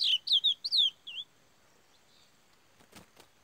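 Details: Black Curió singing the Parazão song style, a bird trained to finish this song. A quick phrase of clear whistled notes, each sliding downward, with four notes in about a second. Then quiet, with a few faint clicks near the end.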